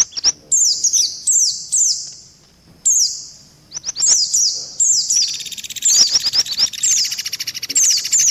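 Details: Combined lure for catching white-eyes, with mantenan and pelatuk beras voices mixed in: separate high downward-sweeping chirps at first, later joined by a dense rattling trill.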